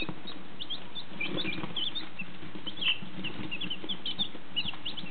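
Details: Fifteen newly hatched domestic chicks, one and two days old, from a first hatch, peeping together in a steady stream of thin, high, short cheeps with soft rustling underneath.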